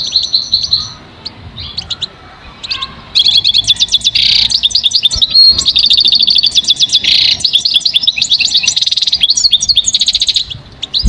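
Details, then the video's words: Goldfinch song: scattered high notes at first, then loud continuous rapid twittering with trills and buzzy bursts, lasting to the end. "listen to the most beautiful motivational"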